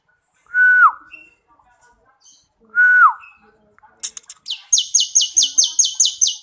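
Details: Bar-winged prinia song kept for training other birds: two loud whistled notes, each holding level then dropping sharply, about two seconds apart, followed by a fast run of about nine high, sharp, evenly repeated notes.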